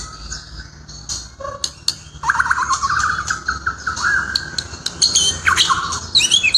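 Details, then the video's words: White-rumped shama song: a long run of rapid, rising whistled notes, then sharp clicks and a high bright flourish at the end, over a busy noisy background. "Saura merdu kicau burung murai"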